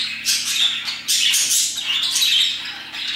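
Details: Several parakeets chirping around 2pm. Dense, harsh, scratchy chatter in overlapping bursts with almost no pause, loudest near the start and again after the first second.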